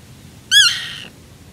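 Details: Black-tailed Godwit (Limosa l. limosa) giving one harsh, nasal half-second call, a quick arched note trailing into a slightly lower drawn-out tail; Uitkerkse Polder, Belgium, June 2016.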